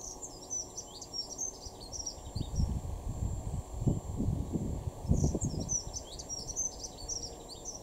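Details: Dunnock singing in a garden in Weener, East Frisia, far northwest Germany, March 2023: two bursts of high, thin, fast warbling jingles, at the start and again near the end, over low rumbling wind-like noise.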